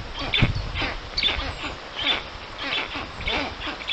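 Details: Black stork nest in the Puszcza Notecka forest, Poland, on 13 June 2019 at 14:23, where a strange black stork visits the storklets: harsh, broadband, rasping calls repeat irregularly about once a second, with a low rumble beneath.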